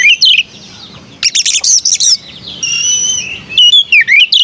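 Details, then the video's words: {'caption': 'Sweet-voiced white-rumped shama: a swooping whistle, then a rapid run of high chattering notes, a long steady whistled tone with overtones, and further looping whistles.'} "Burung kacer bersuara merdu"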